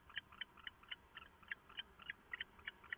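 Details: Two owls bonding at 4:27 AM on 22 September 2014, shortly before roosting for the day; a steady run of sharp, clicking chitters repeated about four times per second, slightly uneven in spacing.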